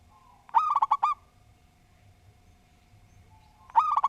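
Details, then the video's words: Local zebra dove singing: a phrase of five rolling, mellow coos, silence for about two and a half seconds, then the next phrase begins. "Perkutut Lokal Gacor Suara Tersusun"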